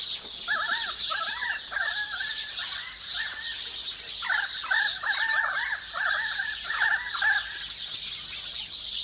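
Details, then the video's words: A currawong chorus in a forest: rapid runs of rounded, ringing arched notes in two bursts with a short pause between, backed by continuous high-pitched chatter from sparrows and other birds. "Call of the Currawongs"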